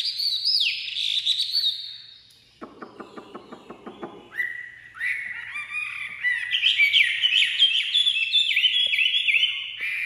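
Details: A Chinese hwamei, a caged songbird just taken out of its cage cover and not yet used to its owner, pours out loud, varied whistled song, sliding and rising phrases broken by a burst of rapid harsh ticking notes.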